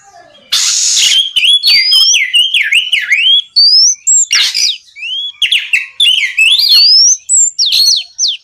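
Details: Kacer (Oriental magpie-robin) ngeplong song meant to provoke rivals: starts with a loud harsh burst, then a chain of wavering down-and-up whistles, sharp rising slurs and buzzy notes in rapid succession.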